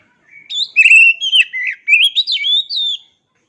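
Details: Oriental magpie-robin singing a rich warbled phrase of sliding whistles, some sustained, some quickly dipping, roughly two and a half seconds, in quiet surroundings.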